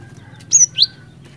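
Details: Single cinereous tit phrase in the ngerol ngeplong style, used as a lure: two loud, high whistled notes in quick succession, the first falling and the second rising.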